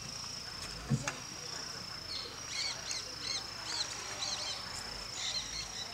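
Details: Giant cowbird at Aguapé Lodge, Aquidauana, Mato Grosso do Sul, Brazil: a run of high, arched, squeaky chirps repeated about every half second over a steady insect hiss, with a dull knock near the start.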